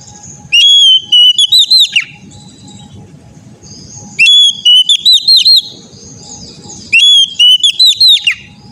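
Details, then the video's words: Oriental magpie-robin song played as therapy to get an untrained young bird singing: three bursts of loud, clear whistled phrases, each a rapid run of rising and falling notes about two seconds long, over a low rumbling background and a faint steady tone. "TERAPI KACER BAHAN AGAR CEPAT GACOR NGEPLONG‼️COCOK UNTUK BURUNG KACER"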